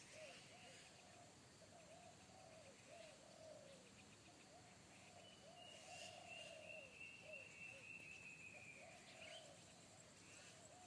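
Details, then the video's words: Spotted dove with a deep bass 'kuk satu' voice in forest, heard by a decoy dove in training that shied away; repeated low coos throughout, a long high whistle from another bird near the middle, and faint insect buzz. "SUARA TEKUKUR INI‼️SUARA BESAR NGEBASS"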